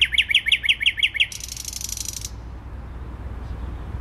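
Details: Thrush nightingale singing in the centre of Warsaw on 12 May 2020: a fast series of seven loud, sharp chopped notes, then a dry, rasping rattle lasting about a second, followed by quiet background hum.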